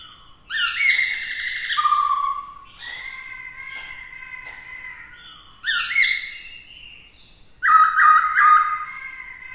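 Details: Black-throated laughingthrush with a female, singing to spur rivals into a contest; four loud bursts of harmonic whistles, descending slurs, and a fast quavering final phrase.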